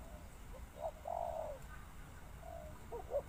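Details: Spotted dove giving a short note and then a long, drawn-out, slightly falling coo, followed by quieter coos against a hissing background.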